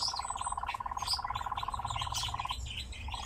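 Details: Captive nightjar singing while dancing: a steady, mechanical churr, a rapid purring trill held over two seconds, breaks briefly, then restarts, with faint high chirps from other birds behind.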